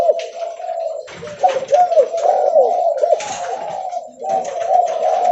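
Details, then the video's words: Spotted dove of the leopard type, calling hard while walking: a near-continuous run of low, burry coos with small upward and downward inflections, a brief dip near the end. "Suara Derkuku Leopard Volume Besar Super Gacor Bunyi Sambil Jalan"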